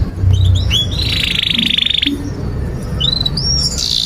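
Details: Canary singing for training young birds: a few whistled rising notes, a long buzzy trill lasting about a second, then quieter whistled slurs over noticeable low background noise.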